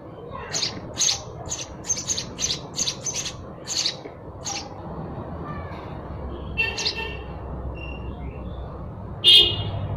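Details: Sparrows chirping: a run of short, bright, clipped chirps repeated about twice a second for several seconds, then scattered softer notes and a final sharp chirp, over a steady low background hiss.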